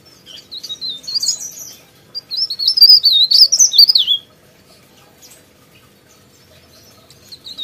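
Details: Sooty-headed bulbul in lively song, giving a brief twitter, then a loud fast run of high slurred whistles rising and falling for about two seconds before stopping abruptly, followed by near silence and a faint note at the end.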